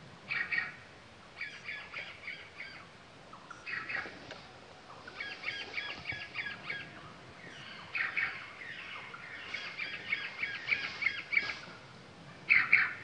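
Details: Male sultan tit at Latpanchar, Siliguri, Darjiling district, West Bengal, India, in February; faint bursts of quick, chattering, rattled notes repeated in short runs, over a soft background hiss of open country.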